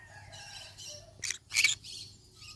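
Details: Yellow-sided conure parrot giving two harsh, buzzy squawks in quick succession, the second louder and longer, over a faint low hum and softer chattering in the background.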